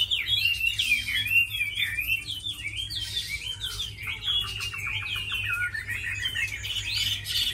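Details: Tame hwamei known as a strong fighter and good singer gives a lively stream of warbled whistles, wavering and slurring, with a short burst of rapid stuttering notes in the middle.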